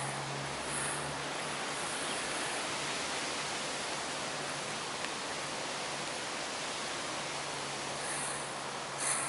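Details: Steady hiss of rushing water or wind over a low hum, even throughout, without any animal voices.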